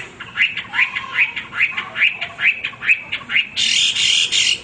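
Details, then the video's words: Hwamei utters a steady series of short, harsh, upward-sweeping notes, about two per second, followed by a burst of broad hissing noise. "wambi gacor berkicau tanpa henti"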